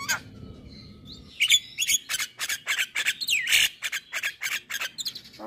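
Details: Javan myna lure for stressed or moulting caged birds: after a quiet start, a steady stream of harsh chattering notes and grating squawks, a little over three per second.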